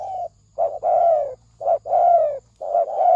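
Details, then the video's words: Spotted dove lure coo, 'thổ sấm đồng' style, for drawing in males and females: loud short coo then long falling coo, repeated about once a second, low hum behind. "Tiếng chim cu gáy thổ sấm đồng gù gáy kích trống kích mái kích bổi"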